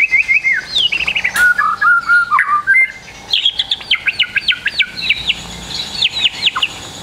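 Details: White-rumped shama song in a training recording intended to get young trotol birds singing quickly. Rich whistled phrases and descending runs, then a burst of sharp repeated high chips delivered in quick bursts.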